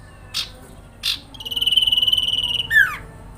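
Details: Sooty-headed bulbul in the jingling grincingan style, used to provoke other sooty-headed bulbuls into responding. Two short bursts come first, then a long, fast, even, pulsed trill on one high pitch that ends in a falling slur.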